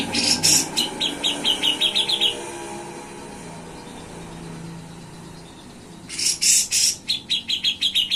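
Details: Grey-cheeked bulbul (cucak jenggot) in gacor, nyepik and ngetril song: bursts of rapid high chips and harsh buzzy notes open and close the passage, separated by a quiet stretch with low background rumble.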